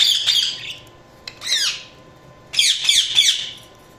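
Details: Budgie chatter: three bursts of bright, downward-sweeping chirps and squeaky warbles, each about a second long, with brief quiet gaps and a low background hum.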